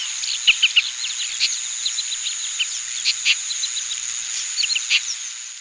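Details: Oriental pratincoles in Pingtung County, Taiwan, 20 April 2017, with many short chirps overlapping in a lively flock chorus, some harsher bursts, and a continuous high whine and light hiss behind.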